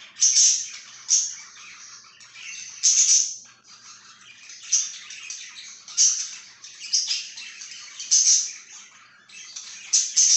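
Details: Long run of budgerigar chirping, bursts of raspy high warbles and bright squeaky notes recurring every second or so with brief quieter gaps.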